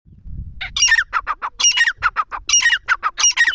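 A partridge gives a fast run of harsh, squawky notes, several per second in rhythmic bursts, with a soft low rumble just before the calling starts.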